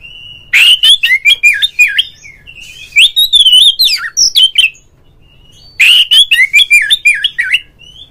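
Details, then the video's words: Oriental magpie-robin, a kacer song for setting off other magpie-robins: loud, fast strings of clear whistles interwoven with dry clicks and chatters, three long phrases with a silent gap before the last. "suara panggilan Kacer NGEPLONG nge-play Ngobra GACOR bikin semua JENIS BURUNG KACER ikut GACOR"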